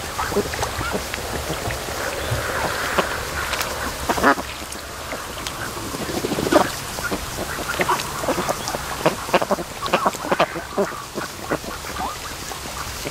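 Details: Raised ducks lazing and sleeping by the mouth of a creek at a lake in afternoon sun, around half past two; short harsh quacks come from several birds throughout, scattered and overlapping, with a steady outdoor hiss behind them.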